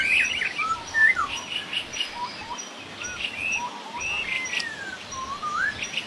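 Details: In the wild, a laughingthrush gives scattered short whistled notes and longer rising slurs between bursts of rough chatter, spaced irregularly over a faint steady background.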